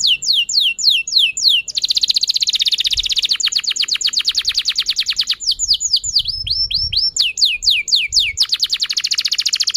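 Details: Canary song played to prompt other canaries to sing: long continuous run of rapid descending sweeps and dense trills, rhythm shifting between fast rolling phrases and slower repeated chirps.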